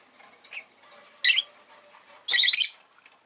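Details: Rosy-faced lovebird indoors producing a faint chirp, then two loud raspy squawking chirps, the last one longer and buzzy, over a low hum of room noise.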